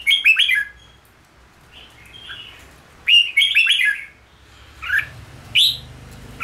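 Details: Red-whiskered bulbul kept for song training delivers rapid clusters of sharp, chirpy whistled notes, then a quieter gap with soft notes before another loud warbling burst and a few clipped single notes near the end.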